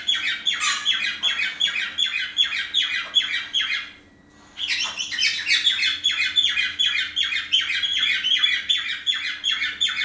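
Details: Morning chatter from caged pet parrots, females charming a male home from the vet with a broken, bandaged wing; dense harsh descending chirps, a brief pause near the middle, then the rapid run resumes.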